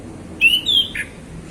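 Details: Male orange-headed thrush in the afternoon, relaxed ngeplong song meant to prompt other birds to sing: two short thin whistles, the second slightly higher and falling, then a soft lower note.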